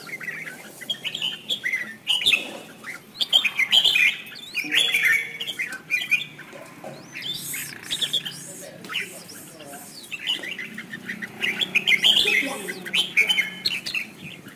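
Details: Red-whiskered bulbul in a fighting-contest song with wing-spreading dance, used as decoy sound to stimulate other birds; vigorous squawky warbled phrases come in clusters, pausing for a few seconds around the middle before resuming strongly.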